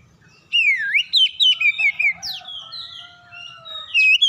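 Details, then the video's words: Magpie-robin song used as a lure to provoke other birds to sing: loud whistled phrases, sliding and swooping between mid and high pitch, with rapid repeated notes and a few long drawn whistles, ending on a sharp rising burst. "KACER LAIN LANGSUNG RESPON GACOR SEKALI PANCING"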